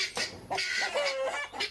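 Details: A hen shut in a coop shrieks loud, harsh squawking clucks in quick bursts with one drawn-out note, trying to climb out; her owner thinks the noise is about laying an egg.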